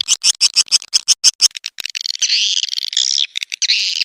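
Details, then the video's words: Lure call for swiftlets, Lidah Api style: a quick series of about ten short, sharp chirps, then a burst of fast, buzzy chattering trills. "Suara panggil burung walet"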